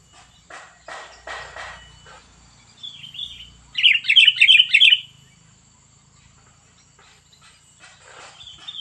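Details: Sooty-headed bulbul delivering a fierce 'cengkram' phrase: scattered clicks and short notes, then a loud run of five quick bubbling warbled notes, then quieter chirps, over a constant high whine.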